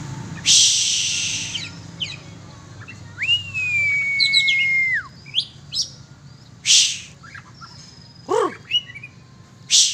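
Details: Oriental magpie-robin released to fly for sport: a long, level whistle held for about two seconds then dropping, with scattered chirps and sharp noise bursts around it.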